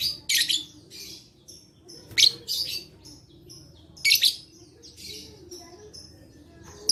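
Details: Lovebird recording played to stimulate lazy lovebirds to sing, dated 11/4/21; a run of sharp, screechy high chirps in uneven clusters, some doubled, with short pauses between.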